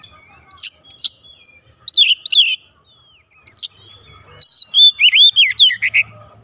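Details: Caged oriental magpie-robin singing loudly in reply, giving sharp rising whistles, then a fast run of looping warbled notes near the end; quiet background.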